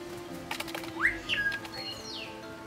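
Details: Green jay at a feeder perch in Playa del Carmen, Mexico, singing a quick run of varied notes: a rising slurred whistle, short chips, and a descending whistled sweep, over low background hum.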